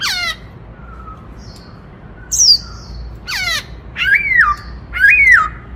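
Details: Loud song of a black-throated laughingthrush in the 'Bắt Cô Trói Cột' style, used to stir other birds: steep descending sweeps, a high thin slur, soft low whistles, and two strong arching whistled phrases to finish.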